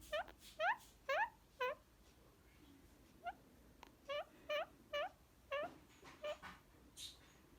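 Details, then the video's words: Male pet Indian ringneck parakeet, green, relaxed under petting yet feisty and biting, indoors; repeated short squeaky upslurred chirps, some doubled, about two per second with brief pauses, and a faint rustle. "Parrot Making Funny Sounds And Biting!"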